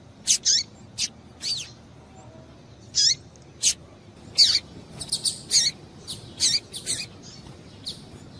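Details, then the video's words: Female double-collared seedeater calling to stir males into singing: short, sharp, high chips given singly or in quick pairs and triplets at irregular intervals, about fifteen notes, over a quiet background. "Piado de Fêmea de Coleiro Para Esquentar Coleiro"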